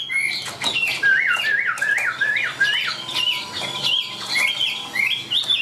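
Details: Chinese hwamei, caged and tame, singing while hand-carried; a repeated zigzag whistled motif climbs in steps, interspersed with clicking notes and higher bright phrases.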